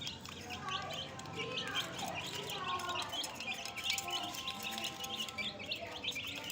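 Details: Several young domestic chicks peeping: rapid, high, short cheeps repeated many times a second throughout, overlapping one another, with a person's voice talking beneath them in places.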